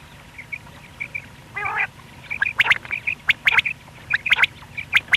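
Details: Quail (batair) in the morning giving quick, high chirping notes in uneven bursts, with one harsher, nasal squawk near the start and a few sharp clicks.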